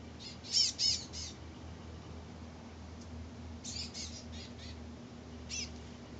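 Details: Birds thought to be chestnut-backed chickadees, frolicking in a magnolia, give high, thin chirps in three short bursts of rapid notes over a steady low hum.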